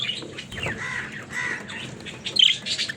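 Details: Pet budgies chattering: soft continuous warble with buzzy mid notes, then a louder squeaky chirp burst near the end; steady low background hum.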